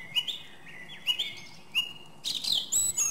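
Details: Song thrush in song, giving short whistled phrases that each rise and hold, followed by a brighter, higher run of varied notes.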